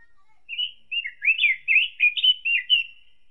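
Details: Pancawarna or orange-headed thrush of Indonesia delivering a sweet, fluid warbled phrase: quick whistled notes sliding up and down, about eight syllables in a lively run lasting some three seconds, in a quiet background.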